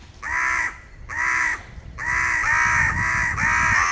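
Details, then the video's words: Crows fighting over peanuts on a territory border, with postures and attacks; a run of harsh, nasal caws, two separate then three close together, with low rumbling background noise. "Corneille / Crow Fight on the border for peanuts ; postures, cries and attacks"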